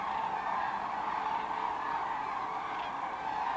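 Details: Large flock of common cranes arriving to roost in the Kvismaren wetland, where about 24,000 are gathered; steady massed trumpeting, a wall of overlapping honks from many birds at a distance, with a brief chuckle from a person.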